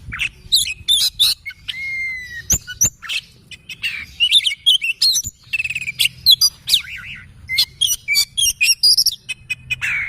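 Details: Oriental magpie-robin in morning song, a rich, continuous run of varied whistles, trills, rapid chips and slurred notes, hardly pausing, with a soft low hum underneath.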